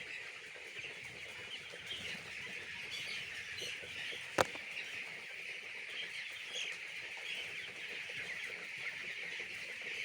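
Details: On a poultry farm, young chicks produce a soft, steady high peeping chorus, interrupted once by a single loud knock.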